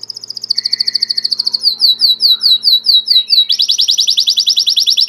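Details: Belgian canary, a domestic bird, delivering fast rolled trills. Even repeated notes shift pitch in steps, from a high rattling roll to quicker sweeping strokes, ending in a dense, loud ringing trill.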